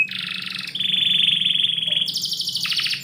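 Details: Canary song at home in the morning: a buzzy trill, a long sustained rolling whistle, then a harsh high rattle at the end.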